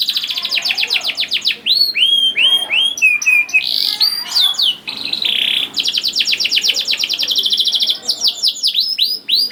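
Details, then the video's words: Canary song meant to prompt young canaries to sing, a varied run of rapid trills, upward-curving whistles and buzzy bursts, switching phrases every second or two. "KENARI GACOR DOR NGEDUR NGOTOT CUIT CUIT NGEROL AMPUH PANCINGAN KENARI PAUD"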